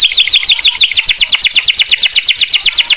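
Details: Canary in morning song, used to get silent canaries singing again: an even, rapid trill of repeated high slurred notes, about four to five per second, bright and rolling throughout.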